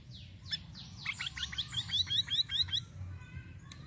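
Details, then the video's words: Sirisiri bird song for luring birds, varied: a fast chattering series of bright high chirps and downslurred notes, about two and a half per second, ending in a sharp click, over low background hum. "GACOR UNTUK PANCINGAN BURUNG SIRISIRI DENGAN VARIASI SUARANYA"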